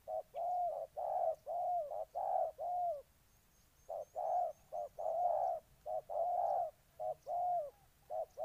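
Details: Spotted dove in Ninh Thuận, Vietnam, giving rounded, throaty coos in grouped phrases with a pause of about a second midway. A thin twittering bird is faintly audible high above.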